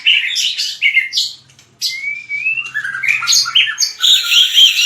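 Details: Fighting song of a white-rumped shama, sung for voice training: bursts of rich warbles, a brief pause, then a long rising clear whistle followed by dense, jumbled, high phrases.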